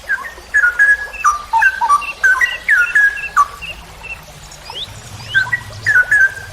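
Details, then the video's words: Straw-headed bulbul (cucak rowo) in a training recording for songbird keepers, singing a long rapid 'ropel panjang' style song: rich, loud whistled phrases that jump and slur up and down, in bursts; a few thin high chirps from other birds behind. "MASTERAN cucak rowo Berkelas||ROPEL PANJANG"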